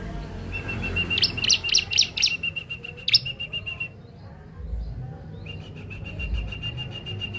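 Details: Young bar-winged prinia (ciblek dakun), a lure bird, giving a long, even, rapid buzzing trill on one pitch, broken at the start by loud bright chirps; the trill stops, then resumes after a pause.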